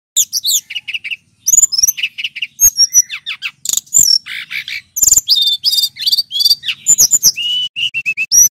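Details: Male brown-chested jungle flycatcher, a lure recording meant to prompt other birds to sing: loud, clear, continuous song of rapid high chirps, repeated short notes and slurred whistles in quick varied phrases.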